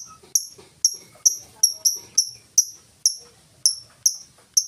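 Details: Full 'ngetik' lovebird song with no 'ngekek' chatter, used to draw other lovebirds into singing. Roughly a dozen sharp, high ticks at a fairly even pace, with faint low rustling underneath.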